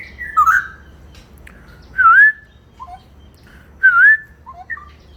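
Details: Straw-headed bulbul in ropel song: loud, clear, liquid warbled phrases repeated roughly every two seconds, each a twisting whistle, separated by softer short notes, with near silence between.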